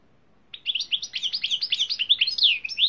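A European goldfinch sings a fast, tinkling twitter of bright high notes, roughly six or seven per second, after a brief quiet start.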